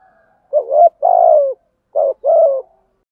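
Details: Spotted dove coo in the gáy gọi and thúc gù styles, played for wild-caught doves to hear. Two deep, hollow coo phrases, each a short note followed by a longer, slightly falling one, against a quiet background.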